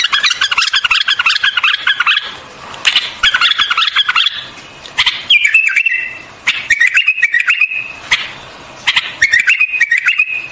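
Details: White-eared bulbul: long run of quick repeated chattering notes, then three separate bubbly whistled phrases, each dipping and rising, spaced about a second and a half apart.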